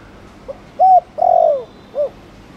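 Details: One spotted dove coo phrase in Thổ Đồng style, used to provoke other male doves to coo: a faint grace note, a flat hoot, a drawn-out falling coo, then a brief final note.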